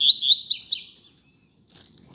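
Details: A pair of Double-collared seedeaters singing outdoors: a quick phrase of high whistled notes sliding down in a rapid series, then near silence.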